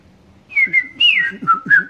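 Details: Whistled song of a red-crested cardinal that regularly visited lodgings in Princeville, Kauai, Hawaii, 2015: a drawn-out falling whistle followed by quicker slurred notes, with low murmuring sounds underneath.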